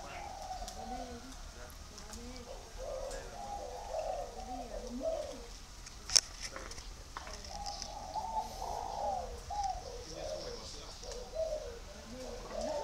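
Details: From a spotted dove garden in Vân Hòa, Ba Vì, northern Vietnam, repeated soft coos roll through thirteen seconds, with a second, lower dove voice answering underneath and one sharp knock midway.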